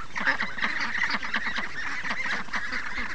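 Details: Short burst of a free-range duck flock in the morning, answering the sound of running water with fast, closely packed quacks from many birds.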